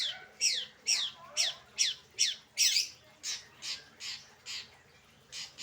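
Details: Long-tailed shrike, locally called cendet, heard in the late afternoon giving harsh, raspy, down-slurred squawks repeated roughly every half second, fading slightly toward the end.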